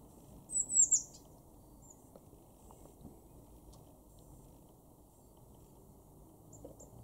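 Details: Garden blue tit recorded in March 2024 at Weener, East Frisia, northwest Germany: one brief high, thin three-note phrase near the start, then several seconds of quiet with only a low steady hum.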